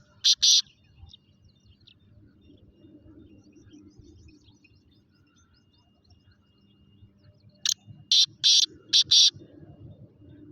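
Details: Kala teetar, the black francolin, giving its call: a pair of sharp harsh notes at the start, then a long pause with low rumbling noise, followed by a loud rhythmic phrase of five clipped notes.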